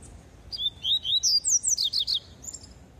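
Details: Double-collared seedeater (Sporophila caerulescens), tui-tui song.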